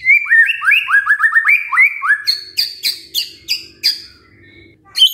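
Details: White-rumped shama song used as a lure to get a reluctant bird singing: a fast run of rising whistled upslurs near the same pitch, then a series of sharp, high, chipped notes, ending quietly.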